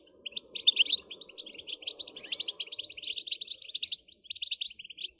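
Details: European goldfinch song: rapid, high, tinkling twitters and chirps in a continuous jumbled stream with short buzzy notes, over a low murmuring background in the first half.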